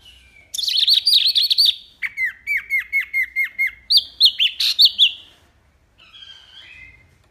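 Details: Wambi rapid-fire song, a clear recording for teaching caged songbirds: a dense buzzy warble, then a run of about ten sharp, evenly spaced hooked notes, a few loud high phrases, and faint soft notes at the end.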